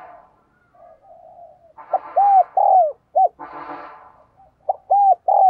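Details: Lure spotted dove calling to stir up males. Low murmurs are followed by loud, arched coo notes in repeated phrases. Bursts of broadband noise, possibly music, sound alongside them.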